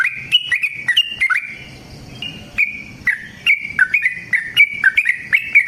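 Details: Yellow-vented bulbul in a long fighting song meant to provoke other bulbuls into singing; rapid run of bright whistled notes around a steady pitch, each note with a sharp attack, broken by a short pause in the middle.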